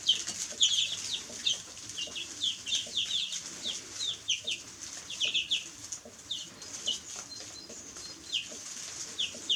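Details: Group of baby chicks making thin, high descending peeps, spaced more sparsely than a full chorus, with short runs and pauses over a constant high background hiss.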